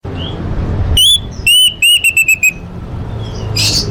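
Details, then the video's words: Orange-headed thrush song from a full fill-in training recording for contest birds: a rising whistle, then loud ringing notes repeated rapidly in a short descending series, with faint low background hum. "Masteran Anis Merah Full Isian untuk Lomba Besar & Latber Elite"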